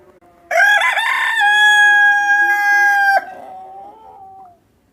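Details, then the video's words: Chicken voice: a sustained, strongly tonal cry lasting nearly three seconds, level and even after a short rising start, followed by a quieter trailing note. "Hen voice"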